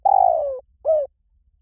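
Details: Closing part of a spotted dove lure phrase, for drawing birds in quickly in any forest: a long, slightly trembling coo gliding downward, followed by one shorter falling coo.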